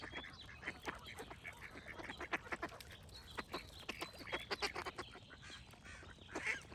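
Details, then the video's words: A busy flock of ducks quacks in loud, hoarse bursts, some notes stacked close together and others spaced apart, with a few clear, high-pitched birdsong notes mixed in. "Cute Ducks Quack Sound Effects with Birds Singing"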